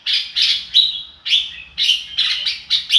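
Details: Red-whiskered bulbul singing "ro kích bổi": clear, bright chirped notes, some drawn into short slurred whistles, spaced a few per second in a bouncy rhythm.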